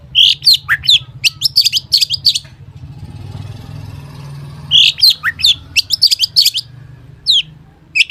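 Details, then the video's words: Long-tailed shrike delivering an energetic full-isian song as a lure to set other shrikes singing: clusters of sharp high chips and slurred notes, a short quiet gap with faint low hum, then the chipping resumes. "cendet gacor FULL ISIAN buat pancingan cendet agar bunyi"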